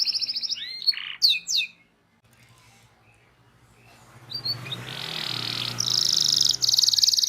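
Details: Canary song meant to teach young canaries to sing: a brief trill and sharp chirps, a quiet stretch with low background noise, then a loud, dense, buzzy roll.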